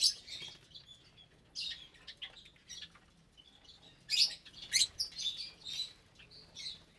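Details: Aviary of roughly 25 caged lovebirds of parblue, euwing, opaline, lutino and albino mutations feeding at meal time; scattered shrill chirps and squeaks in bursts, with a loud cluster of sharp high calls midway.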